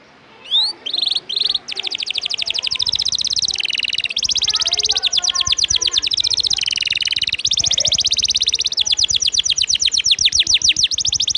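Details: Canary delivering a long rolling song used to train contest birds, opening with a few whistled slurs, then nearly unbroken fast trills of sharp notes changing pitch in sections, with faint voices beneath.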